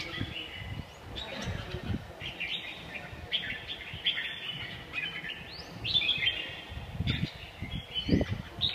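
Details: Red-whiskered bulbul from A Lưới, Vietnam, giving a run of short warbled phrases that rise and fall, repeated roughly every second, over steady low rumbling noise and occasional thumps.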